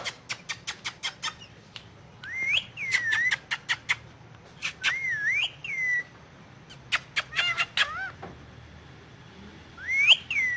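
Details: Indian ringneck parakeet on pillows, said to be talking in Urdu/Hindi: a quick run of sharp clicks, then wavy, looping whistled notes mixed with more clicks and rising-falling whistles in bursts, against a quiet room hum.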